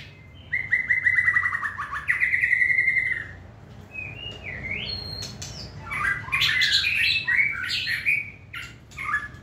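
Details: Caged, hand-tame white-rumped shama of competition standard opens with a long, even, buzzy trilled note held for about three seconds. It then moves into rising whistles and a dense jumble of bright, quick phrases.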